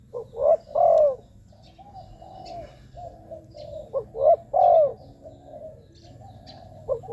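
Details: Lure recording of a spotted dove for decoy trapping on ground, branch or cage; two clear three-part coo phrases, each a short note and two deep falling coos, with quieter drawn-out cooing between them.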